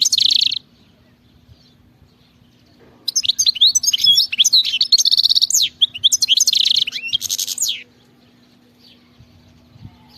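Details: Wild European goldfinch giving a brief buzzy trill, then after a pause a long rambling song of bright twitters, slurred whistles and rapid rattling trills, over a faint steady hum.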